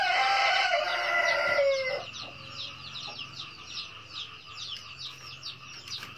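A red junglefowl gives one loud, clipped crow lasting under two seconds and ending abruptly, followed by fast, thin chirping from other birds.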